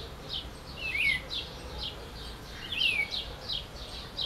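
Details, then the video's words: Two sharp, falling whistles from a singing green-winged saltator (trinca-ferro), nearly two seconds apart, mixed with many quick high chirps and buzzy notes from other birds and steady ambient noise. "Trinca-ferro cantando"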